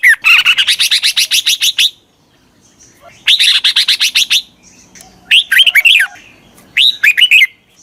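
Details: Red-whiskered bulbul lure sound of the chích mào style, for drawing wild birds in: two long runs of rapid, evenly repeated sharp chips, then two short bursts of slurred warbling whistles.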